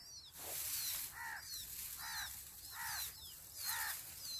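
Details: Hungry sparrow nestlings calling for food in the nest: thin, curving high squeaks repeated about once a second, alternating with buzzy harsher notes, against a hissing background.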